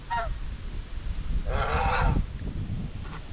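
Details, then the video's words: White Chinese geese, domestic birds on a homestead farm, grazing and bathing while keeping up social talk; two harsh, nasal honks, a brief one then a longer drawn-out call, over a low rumbling background. "Eight Minutes of Natural Farm Sounds | White Chinese Geese"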